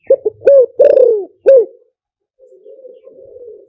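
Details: Wild-type spotted dove giving the three-kuk hanging lure call for attracting wild doves: clipped hooting coos followed by one long falling coo, then a soft, wavering low trailing note after a brief pause.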